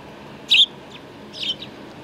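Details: Sparrows flocking to food at a Tenmangu shrine, 2 April 2019: one sharp, bright chirp, then a softer, blurred chirp a second later, against constant low background noise.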